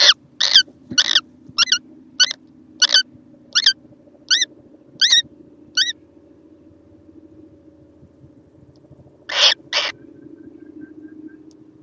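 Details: Young kookaburra, 6 November 2014: a quick run of upslurred squeaky notes, fading after six seconds, then a single harsh burst against a steady low hum.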